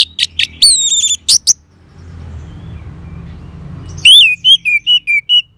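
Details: Orange-headed thrush song: sharp high notes and ringing whistled phrases, a pause with faint background sound, then a series of clear, falling whistles repeated about every half second.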